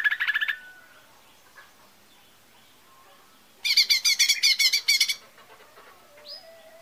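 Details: Lesser green leafbird, recorded as a lure to trigger singing, gives short rattling trills separated by a quiet gap. Later comes a loud, pulsing chatter of harsh notes, then thin whistles.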